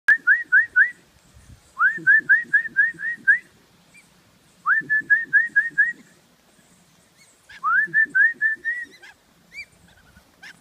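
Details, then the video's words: West Indian whistling ducks feeding on bread at Galley Bay, Antigua, giving shrill, rising whistles in quick runs of four to seven notes, bursts repeating every few seconds. "West Indian Whistling Ducks"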